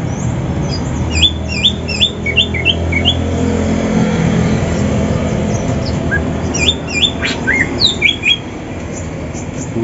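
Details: Greater green leafbird (cucak ijo, Banyuwangi and Sumatra birds) in a morning session preparing for song competition, singing quick, high, slurred whistles in short bursts, some rising sharply, over men talking and a low hum of traffic.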